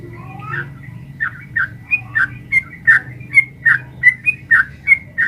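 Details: Sooty-headed bulbul in lively long rapid 'ropel panjang' song, used as a master recording to get caged birds answering: short whistled, slurred notes repeated nearly every half second, with a low hum underneath.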